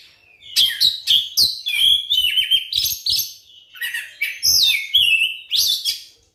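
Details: White-rumped shama provoking song for getting other shamas to sing: dense, loud phrases of sweeping whistles and scratchy notes, repeated in quick succession with short gaps.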